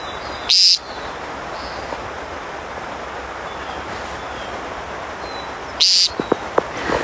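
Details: An American Woodcock (timberdoodle) gives two short, nasal, buzzy peents about five seconds apart, heard in the distance, with a few faint clicks after the second and a quiet background hiss; habitat is open grassland beside a grassy hiking path, used for its mating display.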